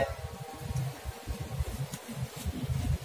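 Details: Low, thumping music-like sound with pulsing beats and no animal voice heard.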